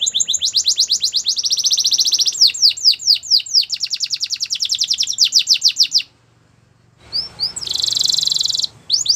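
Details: Daily morning singing of a Belgian canary: long rolling trills of rapid high chips changing speed and pitch in successive tours, a brief silence, then a harsh buzzy trill and closing notes.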